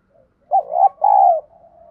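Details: Lure call of a spotted dove in the giọng thổ đồng (field voice) style, meant to spur new birds into cooing. After near silence, one loud two-part coo: a quavering first note, a brief gap, then a sustained mellow falling note, with soft trailing murmurs.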